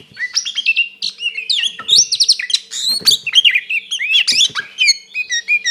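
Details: Fighting song of an Oriental magpie-robin, used to provoke a rival into an emotional reaction. Fast jumble of clear whistles, trills and squeaky slurred notes, tightly packed, with a faint low steady hum underneath.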